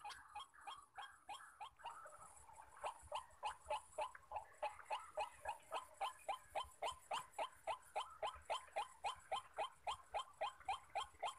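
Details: Persistent harsh croaking from white-breasted waterhens where males call on every side of a decoy; faint and uneven at first, then loud, regular notes about three and a half a second.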